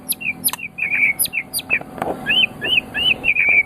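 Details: White-rumped shama, recorded as master song for tutoring other birds, giving high, thin chirps and clicks that move into a string of bright, arched whistled notes repeated in quick succession.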